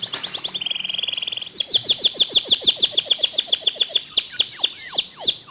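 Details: Canary singing intended to spur other canaries into song: a rapid rattling trill leads into a steady series of sharp down-sweeping chips about four per second, ending in mixed twittering notes.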